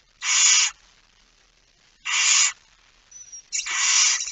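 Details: Barn owl at night in a nest box in Fryslân, Netherlands, 13 September 2019, with a small chick present: broad harsh hissing screeches about half a second long, three in four seconds, plus a faint thin whistle.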